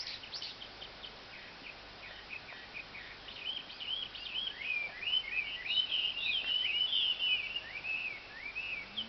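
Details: Birds sounding as if they are talking together: faint chirps early, then a longer run of twittering, wavering warbled notes, over constant low background hiss.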